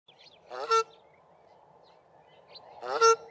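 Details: South African shelduck pair calling at sewage ponds near Grahamstown, male's lower honk and female's higher call in duet; two loud harmonic honks about 2.3 seconds apart over steady background hum.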